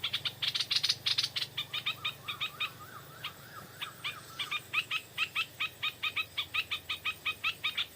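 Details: Stripe-throated bulbul lured by a decoy bird at dusk: dense opening chatter, then a long steady series of short repeated notes, several per second, with a faint low hum.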